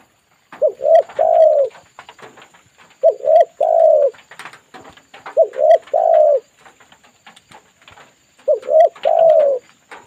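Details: Spotted dove calling back to a lure bird, giving four low cooing phrases roughly every two and a half seconds. Each phrase has two brief notes and then a longer, wavering coo, over faint background clicks.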